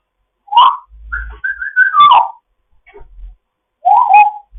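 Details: Foster African grey parrot's morning chat: a pair of whistled, warbling phrases, then a long run of wavering whistles, a brief soft note and a final bent whistle, in a quiet indoor setting.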